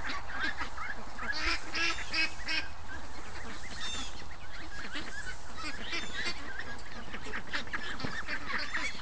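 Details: Free-range ducks on a morning, reluctant to come up until they heard water running; a continuous crowded chatter of quacks and honks from the flock.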